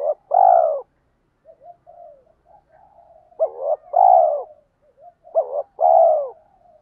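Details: Spotted dove 'thúc' lure call meant to excite wild doves: three similar phrases, each a brief wavering note and then a long mellow coo, with quieter cooing between.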